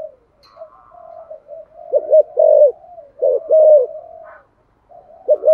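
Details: Spotted dove cooing in the 'giọng thổ' voice style, used to stimulate other doves to coo: low, hollow coo notes in short paired bursts near two and three and a half seconds, with softer continuous cooing running between them.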